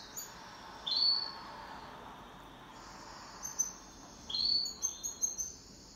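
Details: Pet canary singing in duet: two short bursts of bright, high chirping notes with a quick sliding whistle, separated by a quiet gap of about three seconds, then a few scattered tweets.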